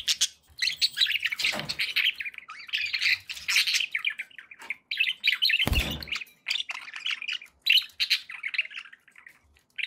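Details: Pet budgerigars, several birds indoors, chattering constantly in a busy flow of short twittering chirps and scratchy warbles, with two sharp thumps or rustles partway through.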